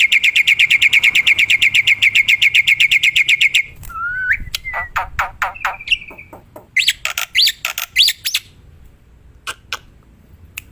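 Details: Black-winged myna singing in the wild: a fast run of sharp repeated chips for nearly four seconds, then slurred whistles, a rising note and a loose series of clicky, buzzy notes.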